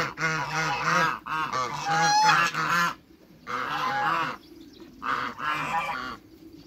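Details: African geese on a waterbird farm greet other waterbirds with bursts of strident, overlapping honks, a long loud volley followed by shorter groups separated by quiet gaps.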